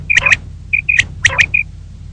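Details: Female common quail in the morning giving short, sharp high whistled notes in quick pairs, with faint clicks, over a low background hum.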